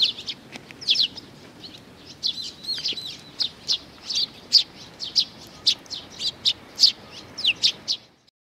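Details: Sparrows coming to be fed, recorded 15 May 2019: a busy stream of short, sharp, high chirps, several per second at times, from birds gathered at the feeding spot, with quiet background.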